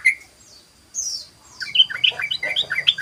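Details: Sooty-headed bulbul, ropel-style song used as a lure: a single sharp note, a high descending slur, then a fast jumble of bright, bubbly notes, with a low hum underneath.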